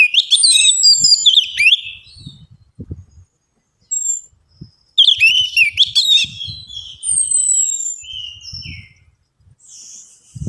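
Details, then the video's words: Orange-headed thrush lure song to encourage singing: two rich bursts of fast, fluty warbling and chattering notes, each trailing into long thin downslurred whistles, separated by pauses with soft low knocking. "DENGAN PANCINGAN ANIS MERAH AMPUH INI, ATASI SUSAH BUNYI ANIS MERAH"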